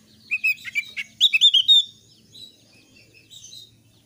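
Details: High, lively song of a Thick-billed white-eye, played to coax untrained birds into song: quick sharp chirps, then a tight cluster of bright whistled notes, fading into soft distant twitters.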